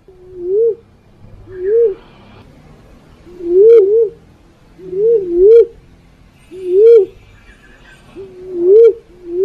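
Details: Black-naped fruit dove recorded as a trapping lure: low, mellow, rising-falling coos, each about half a second, repeated roughly every one to two seconds in a steady series, with faint background noise.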